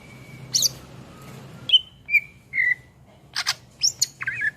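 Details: Greater green leafbird (cucak ijo) singing actively for songbird tutoring: scattered short whistles sliding downward, separated by pauses, ending in sharp high chirps and a trilled phrase, with low background hum.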